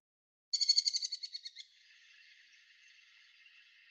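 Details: Merlin (Falco columbarius) call: a fast, shrill chatter of about a dozen sharp notes in just over a second, fading out in a faint hiss.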